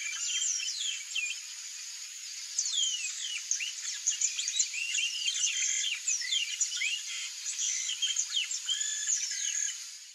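Yellow-rumped marshbirds in a noisy flock chorus of overlapping slurred whistles, squeaky rising and falling notes and chatters, over a steady high insect hiss.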